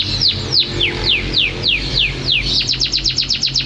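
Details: Unedited canary song made of loud, descending slurred whistles repeated roughly three times a second, switching near the end to a quicker rattling series of short sharp notes over a faint low hum.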